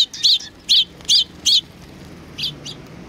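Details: A welcoming flock of sparrows at a Tenmangu shrine, 3 July 2020. Four strong, clipped chirps repeat about every 0.4 seconds, then after a pause come two fainter chirps.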